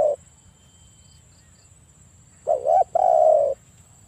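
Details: Spotted dove cooing intended to lure a rival into calling: silence, then a dipping double-humped low note and a long level coo easing slightly downward, faint steady whine in the background.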